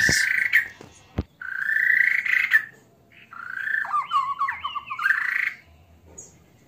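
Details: White-rumped shama with an odd song that includes mimicry of a frog; a few sharp clicks, then drawn-out rising buzzy phrases and a warbled, twisting whistled passage.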